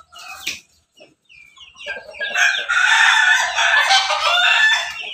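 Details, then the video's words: A red-combed Pelung × Bangkok crossbreed rooster in Banguntapan, Yogyakarta gives a long, loud, harsh "laughing" crow that swells and holds for several seconds after a few short opening notes. "ayam pelung Bangkok ketawa berkokok"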